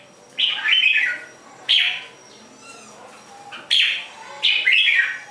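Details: Red-whiskered bulbul singing in short, bright bursts of warbled notes, four phrases spaced about one to two seconds apart, with a faint low hum between phrases.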